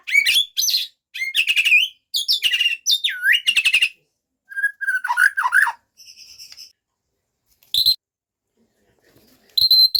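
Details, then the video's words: White-rumped shama song with a varied repertoire: bursts of buzzy trills, a looping whistled slur, rapid descending notes and a faint sustained tone, separated by brief silences. "Murai bongkar isian"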